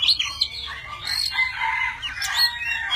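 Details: Tame Oriental magpie-robin giving a varied song as it spreads its wings and tail; a dense, smeared stream of warbled and whistled notes, continuous with no clear pauses.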